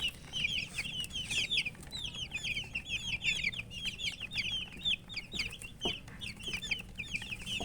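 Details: Coloured poultry chicks chirping from thirst for drinking water: a dense chorus of high, short downward-sweeping peeps overlapping continuously throughout, with a few sharper cheeps standing out and faint low background rumble.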